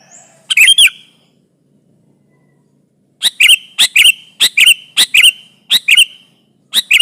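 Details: Sooty-headed bulbul singing to press a rival, a lure for trapping quiet and noisy birds: an opening harsh phrase, then a pause, then loud doubled chattering notes repeated about every half second, clipped and buzzy, with faint background hum.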